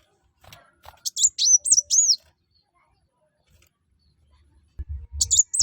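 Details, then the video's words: High, thin, arched whistles from a kolibri wulung (Brown-throated sunbird) in lively song meant to make other birds join in, given in two short bursts with a quiet gap between and some low thumps near the end. "kuwul atau kolibri wulung/mucang gacor. buat burung lain pasti ikut gacor"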